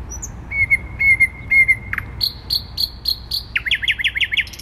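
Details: Thrush nightingale in song in the centre of Warsaw on 12 May 2020. A thin sustained whistle is broken by clicks, then come repeated chopping notes and a fast series of sweeping rattled notes over a faint urban rumble.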